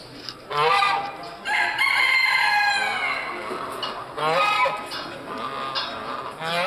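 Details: Chinese geese at a poultry, pigeon and rabbit show in Soultzeren, Munster valley, 2–3 March 2013; loud, harsh, nasal honks repeated in short bursts, with other fowl calling and a crowded hall behind.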